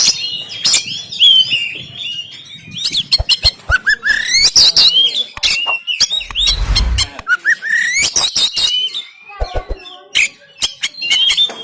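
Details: Oriental magpie-robin from Banten, captured by Android phone, a harsh fighting-style song meant to rouse quiet caged birds; dense bursts of clicks, rasps and rising whistles, with a brief low thud midway.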